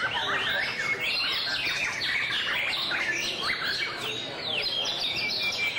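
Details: Displaying white-rumped shama pours out a dense, fast medley of clear whistles, downward slurs and quick trills, shifting phrases constantly with barely a break.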